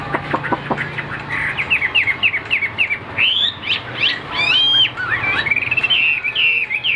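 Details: A tam hoàng hwamei kept caged sings with a few low clicks, then a lively string of short whistled notes, sweeping upslurs and a bright descending flourish.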